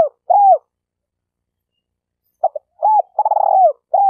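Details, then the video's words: Spotted dove used as a decoy bird for trapping in Malaysia, cooing: soft, low, hollow coos in short phrases, one ending in a rapid purring tremolo, otherwise quiet background. "Suara Burung Tekukur Denak Padu Juara All Star"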